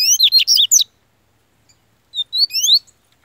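A Yellow-bellied Seedeater sings two quick bursts of high, sweeping, slurred whistles, each under a second long, with a pause of over a second between them.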